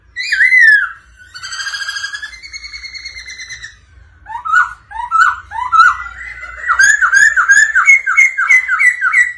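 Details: Black-throated laughingthrush song, prompted by a female's rolling calls: a loud looping whistle, buzzy held tones, then a long accelerating chain of bright, bouncing slurred notes rising in intensity.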